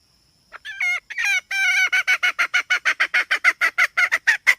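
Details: Hen opening with a few long, bending nasal notes, then settling into fast, regular hoarse clucks at about three per second. A faint high tone hums at the start.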